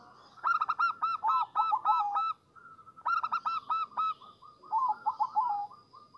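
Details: Zebra dove song used as a lure to attract and stimulate zebra doves: repeated bursts of short, stuttering cooing notes that rise and fall quickly, grouped into rhythmic phrases with brief pauses between them.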